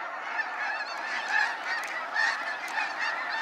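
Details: A big flock of snow geese in a sunset fly-out at Sacramento National Wildlife Refuge calls without pause, dense nasal honks with a couple of nearer, louder yelps around the middle.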